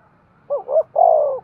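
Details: Spotted dove cooing, a call used to stimulate breeding: two short low hollow notes followed by a longer, steady, mellow coo in one brief phrase, with quiet background.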